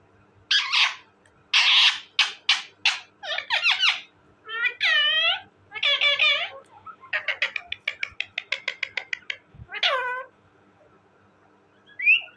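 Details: Talking parrot mixing rough, noisy squawks with voice-like harmonic syllables and a rapid run of short clipped notes, ending in a high whistled note; quiet indoor background.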